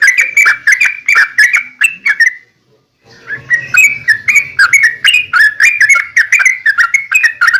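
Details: Chattering song of a yellow-vented bulbul, meant as a lure so other bulbuls respond: a busy stream of rich, warbled chirps, a short silence near the middle, then continuous bubbling notes resuming.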